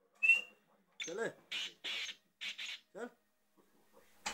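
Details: Young captive black francolin (kala titar), six months old, which began calling at five months, gives a series of harsh, buzzy bursts, two close pairs after a rasping lead note, with a brief sharp whistle at the start and indoor sounds.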